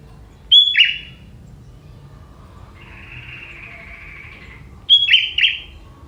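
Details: Sooty-headed bulbul, a young forest bird, whose song is filled with prenjak-style notes. A sharp whistled phrase drops into a twitter, then comes a soft steady buzzy note, then a second, longer chattering whistled phrase.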